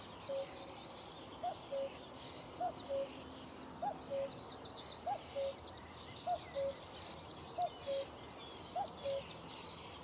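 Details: In Achterveld, Netherlands, on a sunny May morning, a common cuckoo repeats its low falling two-note cu-coo eight times at an even pace, while other small birds twitter and trill in the background.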